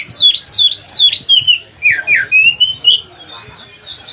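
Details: Oriental magpie-robin (kacer) singing loudly as a model for other kacer birds: repeated descending slurred whistles about twice per second, followed by softer twittering notes.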